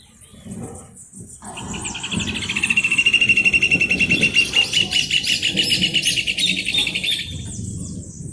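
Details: Rufous hornero singing: a long, rapid series of sharp, high notes that swells in loudness and speeds into a fast trill, with several overlapping voices and a low rumble of background noise.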